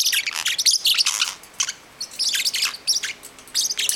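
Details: Nine-week-old pet parrotlet indoors, chasing another bird while wanting to play: dense bursts of high, sharp chirps and scratchy squeaks, tumbling over each other with brief pauses between flurries.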